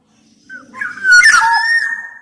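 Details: Black-naped oriole (kepodang emas) singing vigorously, used as a tutor and lure for sluggish orioles: a short burst of slurred, fluty whistles with a harsh, raspy note mixed in, ending on a long held whistle.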